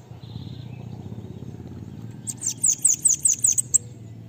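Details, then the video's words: Bananaquit performing the pega pega song used to teach other birds. After a faint brief whistle and low background rumble, a fast series of about nine thin, piercing high notes rings out. "CANTO LINDO DEMAIS PARA ENCARTE DE SIBITE CAMBACICA ( sibite PEGA PEGA )"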